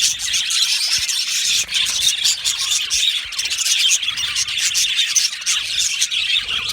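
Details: Many yellow male budgerigars chirp in an aviary, their high trilling chatter running without break, punctuated by occasional sharp ticks.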